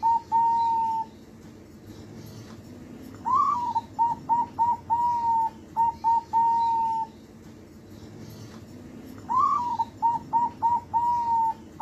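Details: Nightly-trained young zebra dove, about two months old, singing repeatedly. A long level coo closes one phrase. After a quiet gap, a second phrase has a rising opening note, a string of short cooing pips and long notes. A third phrase then starts. Soft background hum.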